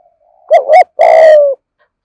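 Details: Spotted dove kept as a decoy, singing in the 'thổ' voice style used in a full lure sequence of thúc, gù and gáy calls: a quick doubled coo, then one long, throaty, slightly falling coo. The background is otherwise silent.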